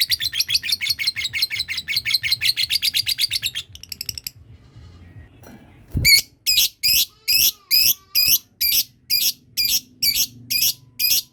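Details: Lovebird learning its long 'ngekek' trill, with other birds prompted to call on hearing it; a fast rattling burst of high notes, a short pause, then sharp chirps repeated roughly every half second.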